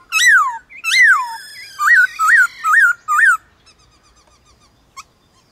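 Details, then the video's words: White-cheeked laughingthrush singing against wild birds in the morning: two loud, arched whistles, then four shorter, hooked notes in steady succession, followed by faint, soft chatter and a single sharp note. "Khướu bạc má HÓT ĐẤU với Khướu ngoài thiên nhiên buổi sáng cực hay"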